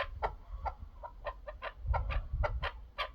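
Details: Chukar partridge calling in quick, harsh clucks, roughly three per second, over a steady low rumble of background noise.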